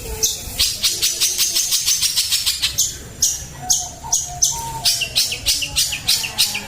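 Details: Long-tailed shrike singing in the macan style: a fast, steady stream of harsh, high chattering notes, about three per second, with some lower whistled notes threaded underneath.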